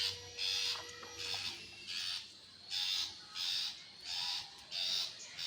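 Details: Long-tailed shrike giving harsh, buzzy, noise-like bursts, each about half a second to a second long, repeated roughly every second, with a faint steady thin whistle running underneath.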